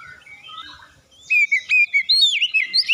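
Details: Oriental magpie-robin singing to draw other birds into song: after a quiet start, a run of loud clear whistled notes, some rising and some wavering, repeated rapidly.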